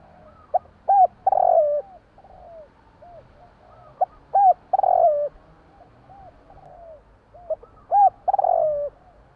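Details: Javan spotted dove heard at night, giving three full coo phrases: clipped note, rising-falling hooked coo, a long buzzy downslurred coo and soft trailing notes, about every three and a half seconds.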